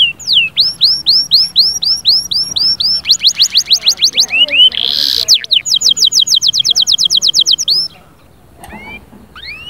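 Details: Canary singing in lively tours: downward-swooping whistles, rapid sharp repeated notes, a brief harsh burst, another fast roll, then a pause with a few soft whistled notes.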